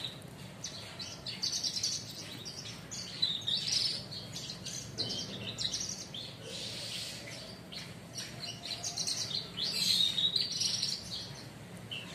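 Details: Caged Horsfield's bush lark (branjangan) in training, sitting calmly and singing in the njeplak style. Long run of quick, sharp, high chirps and twittering trills comes in uneven surges, over steady low background hum.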